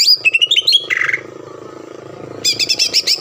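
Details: Green leafbird song played as a lure to make a rival respond and sing: quick chain of clear whistled notes stepping between pitches, a short buzzy phrase, a lull with low background hum, then a fast run of sharp notes.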